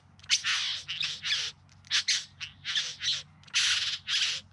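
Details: Bowerbird in courtship display, Yarra Valley just outside Melbourne, September 2020; loud grating, hissing squawks, often paired in quick doublets, repeating roughly every second with brief silences between.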